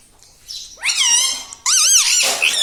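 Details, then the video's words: Indoors, a talking parrot, said to speak "Papa" and "Mummy", gives two loud, harsh, wavering speech-like squawks, each about a second long, after a faint, soft opening. "Papa Mummy Bolne Wala Tota - Talking Parrot - Me Tota Me Tota || batuni tota"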